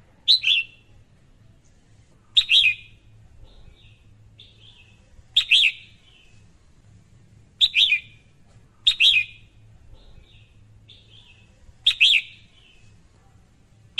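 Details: Female red-whiskered bulbul giving short, sharp, chirpy calls at irregular intervals of one to three seconds, with softer thin twitters between them and a low steady hum in the background.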